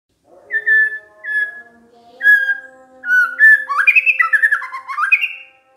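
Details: White-rumped shama lure song to get other shamas to respond. Level whistles repeat at a steady pitch, then give way to a quick jumble of rising slurred notes. Faint low steady tones run under the song throughout.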